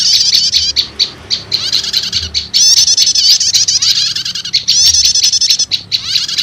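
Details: Lure sound of prenjak lumut prinia mixed with prenjak setater for attracting wild birds; bursts of rapid high twittering broken by brief pauses and a few separate clipped notes.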